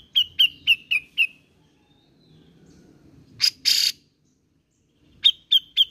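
Grey-cheeked bulbul giving a quick run of five clear, mid-high notes, then a harsh, buzzy burst, then three more notes.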